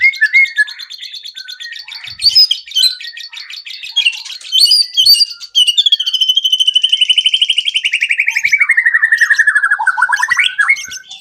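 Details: White-rumped shama song used to prompt other birds to sing, opening with buzzy rattles and bursts, then a long rapid pulsed trill sliding steadily downward before a brief upward flick.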